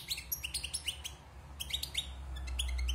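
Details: Wild European goldfinch caged after its moult, six months in the cage: quick run of bright chirping notes and short rising twitters, pausing briefly mid-phrase, with steady low hum beneath.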